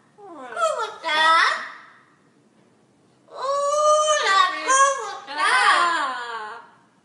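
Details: A pet Monk (Quaker) parakeet indoors gives two bursts of nasal, speech-like chatter with rising and falling tones, separated by a brief pause, in a quiet room.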